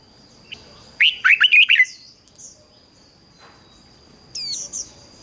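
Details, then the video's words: Decoy red-whiskered bulbul singing to lure wild birds: a single short, rich phrase of five or six quick, slurred, warbling notes, then quiet with a few faint high chirps and a continuous thin high tone. "Chào Mào Mồi Hót Gọi Chim Rừng Kích Chim Hót Hay"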